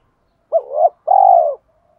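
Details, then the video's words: Decoy spotted dove calling to lure wild doves: one phrase of a rising hooted note swelling into a second, then a long even rolled coo that fades away. "Tiếng chim cu gáy kích bổi nhanh nổi - Chim Cu Mồi"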